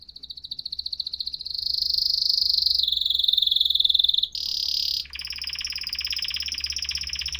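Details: Sustained high rolling trills from a canary, shifting pitch between phrases and closing with a broad buzzy trill.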